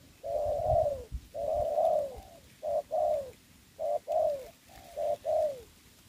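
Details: Ground-decoy spotted dove used for trapping during the covid season, cooing steadily and loudly. It begins with long smooth notes, then gives paired short-long coos that dip at the end, with little background sound.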